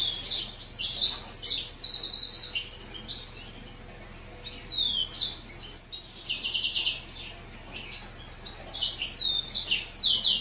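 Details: Green singer finch singing a lively, twittering song of rapid high chirps, trills and short buzzy notes in bursts, with a brief pause around the middle before the phrases resume; quiet background.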